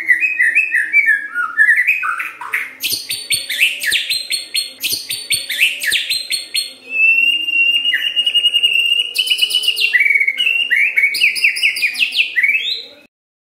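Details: A long, continuous song from a white-rumped shama, used as a lure to set other shamas singing: varied warbles and sharp high chips, a held steady whistle midway, then quick repeated rising phrases.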